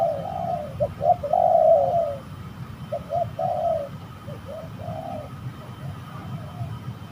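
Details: Spotted doves fighting during a trapping session at a spooky location in Indonesia; low throaty coos in quick broken runs, louder early and then fading into scattered notes.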